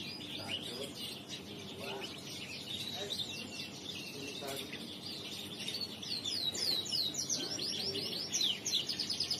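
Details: A male crested canary sings riwikan, rolling high trills and descending whistles repeated steadily and growing louder near the end, with scattered lower clicks and voices in the background.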